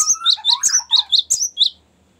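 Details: Ngerol panjang, the long rolling song of a cinereous tit, used as a lure and tutor: a quick run of about eight high chirps over lower rising slurs, fading into quiet.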